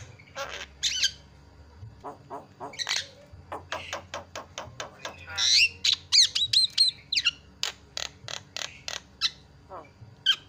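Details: Javan myna lure sound to make birds call: scattered harsh notes, then a long series of sharp clicking chatter at about a note and a half each second, with interleaved squeaky whistles.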